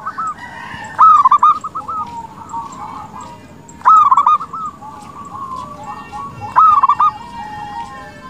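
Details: Local zebra dove singing as a lure so rival doves answer; three strong phrases of rippling coos come about every two and a half seconds, with fainter cooing from other doves between.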